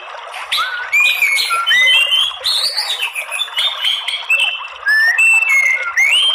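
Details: White-rumped shama song as a lure for provoking males to fighting song: rich, fluty whistled phrases with rising and falling slurs, mixed with scratchy squeaks, delivered in loud bursts.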